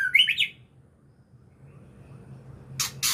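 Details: White-rumped shama, ngukluk style: a quick whistled slurred phrase wavering up and down, a long pause, then two loud harsh rasping bursts.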